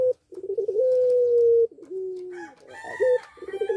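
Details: Barbary dove of the puter pelung variety in breeding condition gives a long level coo and a lower falling one, while a higher, harsher call from another bird overlaps near the end.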